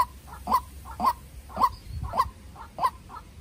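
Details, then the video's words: Young decoy White-breasted waterhen dueling with a wild bird: loud, clipped mid-pitched notes in pairs, a strong note followed by a softer one, about two per second, with low background rumble. "Quốc Mồi Tơ Ra Trận Gặp Bổi Rừng Đấu Cực Căng"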